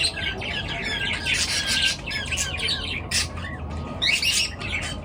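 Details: Morning bird chirping: many birds calling at once in dense, overlapping bursts of high chirps and harsh notes, rising and falling in loudness, over steady low background rumble.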